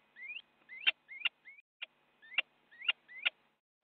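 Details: A little owl biting another during a fight in a nest box in the Netherlands, January 2017 morning, live camera; a handful of rising squealed notes, several ending in a loud snap, separated by short gaps.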